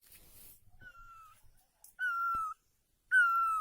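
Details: Great barbet in Asia giving three separate plaintive, mewing notes that slide slightly downward, each about half a second long, in a quiet setting.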